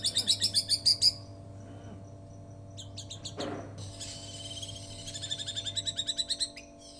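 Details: White-rumped shama singing in a style imitating a lovebird, with long bursts: a fast high pulsed trill, a sweeping note, then a rapid buzzy chattering series, over steady low hum.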